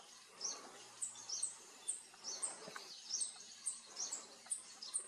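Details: In Koyna Wildlife Sanctuary in India's Western Ghats, a Speckled piculet at a bird campsite on 21 April 2022 gives a run of piercing, high-pitched squeaky notes, roughly one per second, with softer chirps from other birds behind.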